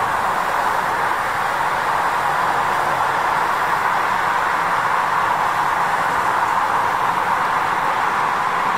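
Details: Steady, loud broadband hiss and rumble of a moving train or traffic fills the whole stretch, with no animal calls heard.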